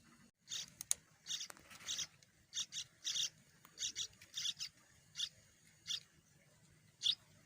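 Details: Two hungry Sooty-headed bulbul chicks, trucuk, in the nest waiting for a parent to feed them, giving rasping, hissing begging calls in short bursts about every half second to second, fairly faint.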